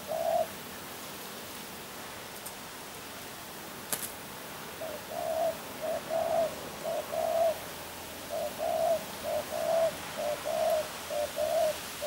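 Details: Spotted dove, or tekukur, beginning with one coo, then after a pause a long run of soft, low cooing notes in short and drawn-out pairs, with a couple of faint clicks early on.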